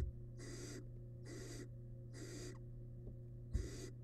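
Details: Barn owl nestling, wild, inside a monitored nest box during a meal of rabbit remains: four rasping, noisy hisses spaced about a second apart, a soft knock near the end, steady background hum.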